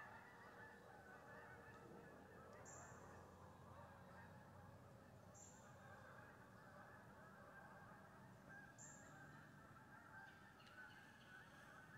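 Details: Morning flock of geese coming down into a wheat field on October 25th, recorded from a deer stand; steady massed honking blends into a constant murmur, with a few brief clicks over the top.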